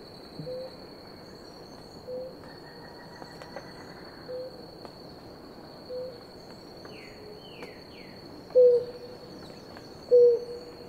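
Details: Blue ground dove pair at water, drinking; soft low coos repeat about every two seconds, the last two much louder and closer, with a few quick descending chirps from another bird and a constant high insect drone.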